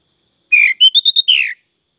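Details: Sooty-headed bulbul, known as kutilang, delivering one rich whistled phrase of about six notes: a downslurred opener, a run of short bright notes, then a falling slurred ending, in a quiet setting.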